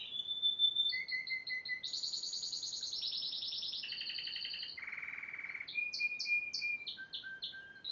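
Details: Yellow Spanish timbrado canary from 2011 in full song: a chain of rapid trilled tours, each held on one pitch before jumping higher or lower. A low buzzy roll sits in the middle, and sharp upslurred notes follow near the end.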